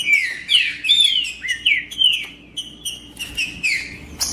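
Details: Green-winged saltator in the wild bush, heard to stir a caged male into singing: strong, full whistled phrases with looping, falling slurs, then shorter repeated notes.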